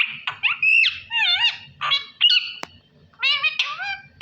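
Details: Parrot talking Allah Hoo, rapid high-pitched word-like syllables with wavering harmonic tones, a sharp click midway and squeaky bursts in quick succession.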